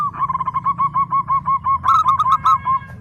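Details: A local zebra dove (perkutut) sings a long, even chain of about fourteen clipped coo notes, ending in a louder, harsher burst of several notes, with steady low background hum.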